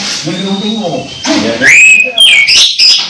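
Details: Orange-headed thrush close to moulting yet still singing vigorously: after a low murmur, loud whistled phrases slide downward, then high sharp notes and quick twittering follow.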